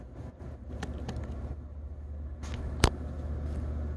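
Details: Low engine hum of a vehicle dominates, with scattered clicks and one sharp knock near the end; no animal voices.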